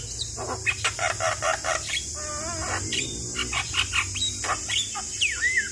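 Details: Lively Javan myna song used to coax a stressed bird into singing: a run of sharp clicks, a wavering whistled trill, then rising and falling whistles over a constant high hiss and low hum.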